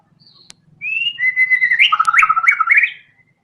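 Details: White-rumped shama singing loudly: a rising whistle into a long steady tone, then a fast jumbled burst of chattered notes and bright clicks, over a faint low hum and a sharp tap.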